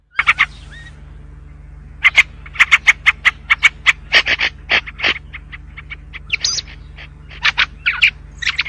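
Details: White-spectacled bulbul song: quick runs of short, sharp chirps repeated several times a second, broken by a few brief whistled slurs near the start and end, over a steady low electrical hum.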